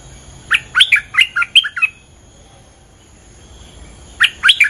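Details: Bulbul, a territory owner, singing a lure song: a quick bubbly phrase of about six warbled notes, then silence, then a second burst of rising, chattering notes. Steady faint high tones run throughout.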